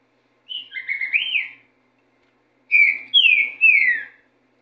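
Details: Green-winged saltator in racha song: a warbled whistled phrase rising at its end, a pause, then three loud descending whistles in quick succession, clear and melodious against silence.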